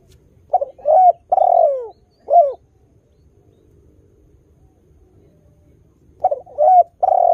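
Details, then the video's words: Mellow cooing song of an eager spotted dove, played to prompt other doves to answer: short double coo, long downward-gliding coo, brief last note, a few seconds of quiet, then the phrase starts again. "TEKUKUR GACOR suara merdu - berkesan memancing tekukur baru supaya ikut berbunyi"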